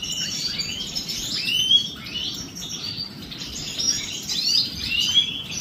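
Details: European goldfinches bathing in the morning give clear upslurred chirps and bursts of tinkling twitter, repeated in loose phrases over a faint background hiss.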